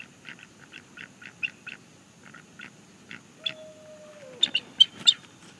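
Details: Bald eagle, a young male at a nest in northeast Florida, calling to object to a nearby barred owl. Short, high, thin chirps repeat quickly, then swell into a louder strident chatter. A steady tone sounds briefly midway.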